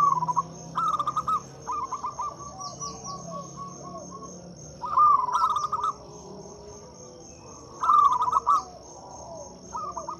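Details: Local zebra dove song for luring and prompting silent doves: several bursts of quick, stuttering coos spaced a few seconds apart, some quieter answering phrases, an unbroken high insect hum and occasional thin chirps.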